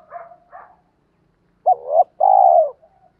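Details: Spotted dove cooing as a lure call to provoke wild doves into answering: two soft, short low coos, a pause, then two loud, drawn-out mellow coos, the last one longest, against a quiet background.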